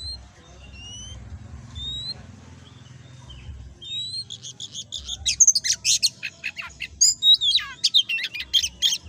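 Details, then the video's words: Oriental magpie-robin singing in the energetic, prolific 'gacor ngobra' style, used as a training recording for other magpie-robins. Soft, thin rising whistles come first, then a loud burst of varied sharp, chattering and sweeping notes, over a faint low hum. "Burung Kacer Gacor Ngobra l Masteran Untuk Kacer Ombyokan"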